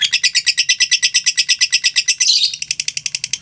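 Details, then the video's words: A mentil lovebird's ngekek: a rapid, evenly pulsed high chatter that swells into a brief rough squeal just past two seconds, then resumes as quicker, thinner pulses. "LOVE BIRD NGEKEK PANJANG 2 MENIT TANPA JEDA"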